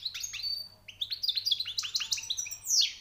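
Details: Short burst of European goldfinch song from a newly caught bird, with bright rising chirps in quick succession ending in a high buzzy note.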